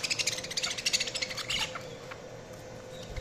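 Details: Budgie chatter: a quick run of scratchy, buzzy chirps for about a second and a half, then it fades to near quiet, with a faint hum throughout.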